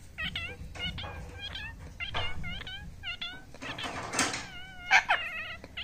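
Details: Pet talking parrot uttering quick bursts of stacked, wavering calls, some in doubled pairs, ending with a longer, steadier drawn-out note, with low background rumble and a brief noisy burst near the end.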